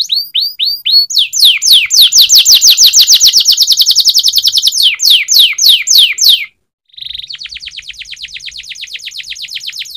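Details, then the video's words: Canary training song: loud series of rapid downslurred whistled notes, then a fast even trill of sweeping notes, a brief pause, and a softer steady buzzy trill. "Singing of canary_Training song canary//kenari gacor_setingan kenari//تدريب الكناري"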